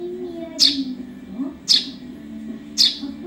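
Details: Juvenile Eurasian tree sparrow chirping sharply three times, just over a second apart, each note short and shrill, with low background murmur; a training recording for other songbirds.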